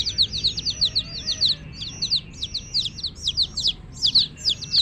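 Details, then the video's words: Several hen chicks peep in quick bursts, each chirp a shrill falling note, loosely clustered and repeated without pause over a faint low background hum. "Hen Baby Chicks, Witty MURGI Baby "Chicks Chirping" Sound"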